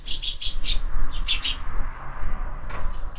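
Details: Sparrows feeding at a window-mounted feeder; quick runs of bright chirps in bursts during the first half, then quieter scattered tweets, with a constant low hum underneath.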